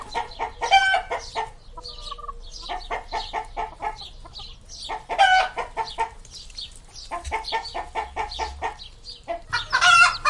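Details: Chicken giving loud, rough, rapidly repeated clucks in uneven bursts, some broken by brief pauses, with a few higher squawking notes mixed in.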